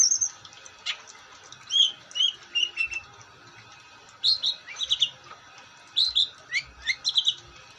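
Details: Long-tailed shrike in varied, lively song: thin whistles and warbled mid-high phrases, then clustered scratchy twitters and quick chirps over nearly eight seconds.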